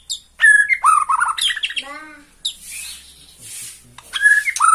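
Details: Borneo-type white-rumped shama, singing excitedly at a rival, gives quick whistled and buzzy notes, a brief harmonic nasal tone, then resumes with bright whistles after a quieter pause.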